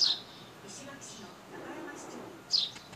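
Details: Sparrows recorded on a compact camera: a bright high chirp opens and another closes, with faint softer chirps between against quiet background noise.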